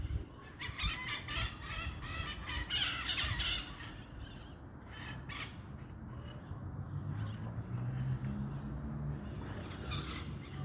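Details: A flock of many maritaca parakeets at dusk in Pirassununga, São Paulo, Brazil, on 11 April 2024, gives harsh, squawking screeches in rapid overlapping bursts, loudest in the first four seconds, over a steady low rumble of wind or traffic.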